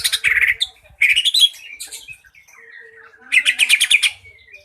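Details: Lure song of a green leafbird intended to make other birds sing: buzzy warbled phrases, a slurred gliding whistle, then a fast run of pulsed high notes.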